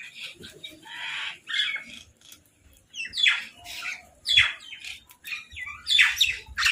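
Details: Crows quarrelling over food: strained, rasping squawks with sharp downward sweeps, irregularly spaced, interspersed with softer chatter and light background knocks.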